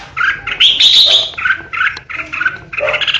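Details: Red-whiskered bulbul kept as a caged decoy for singing contests, delivering 'ché' song: unbroken loud warbling with shrill high whistles mixed with a few lower, throaty notes.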